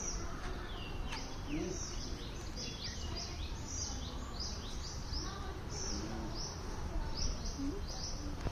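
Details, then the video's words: Morning birdsong: dense, rapid series of high chirps and short downslurred notes from several birds, running almost continuously over a low, constant background hum. "Birds Chirping in The Morning"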